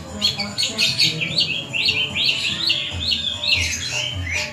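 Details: Cendet, the long-tailed shrike, in '1000 suara' style song: a rapid series of high, sharp chirps and rising squeaky notes, repeated roughly twice a second over a low rumbling background.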